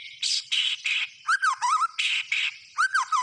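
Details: White-rumped shama singing a short, intense passage: broad harsh chattering notes alternate with looping slurred whistles, delivered in fast bursts.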